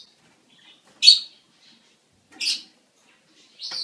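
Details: Budgerigar mating-season calls: three isolated harsh, high chirps spaced over a few seconds, separated by near silence.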